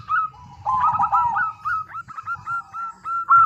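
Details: Local zebra dove cooing as a lure for other doves: a soft, tumbling coo followed by a steady string of separate clear notes, over a faint low rumble.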